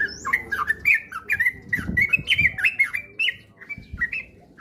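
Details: Sooty-headed bulbul singing, from a lure recording for getting a kept bird to sing ropel. Bright, twisting whistled notes run in a quick chain, with a high thin slur at the start and dull knocks beneath.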